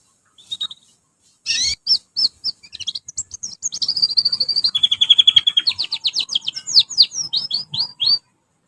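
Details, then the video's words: Young canary learning to sing, used as a lure song to train young birds: a few opening chirps, then a long high song of rapid trills, a steady buzzy rolled phrase and quick repeated descending notes. "kanari belajar bunyi_ pancingan kenari paud ombyokan"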